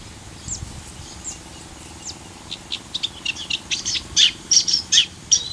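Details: Eurasian reed warbler singing at Parque Natural El Fondo, Valencia, Spain; sparse high notes at first, then a quickening chattering run of repeated harsh, scratchy phrases in the second half.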